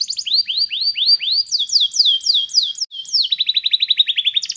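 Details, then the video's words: Canary song used for training a canary to sing: high, clean tours of rising swept notes, then falling slurred syllables, ending in a fast repeated trill of short notes, about four per second, with no background noise. "cantar canário faz seu canário cantar"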